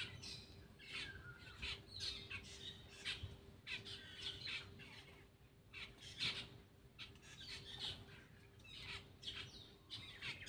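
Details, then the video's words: While feeding, a Black-winged myna keeps up a continuous scratchy chatter of harsh squawks and rasping notes, delivered in uneven clusters over roughly ten seconds, with a faint steady tone underneath. "cucak Keling bar bar"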